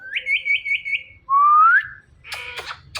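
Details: Pet Indian ringneck parrot pair, male and female, making morning sounds. A quick warbling trill, then a clear whistle gliding upward, followed by harsh, rasping notes.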